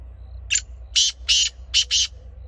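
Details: Black francolin calling: a loud, harsh, grating phrase of five clipped notes, one short lead note then two paired bursts, rasping and broadband, over quiet low background hum.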